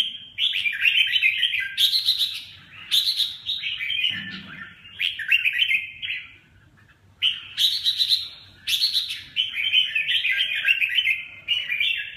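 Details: Chào mào, the red-whiskered bulbul, singing long chattering bursts of rich, tumbling notes separated by brief gaps, energetic and almost unbroken.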